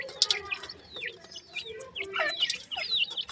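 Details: Black francolin chicks, male and female, calling in captivity: thin downslurred whistled peeps and short chirps from several birds overlapping irregularly, with soft lower clucking notes beneath.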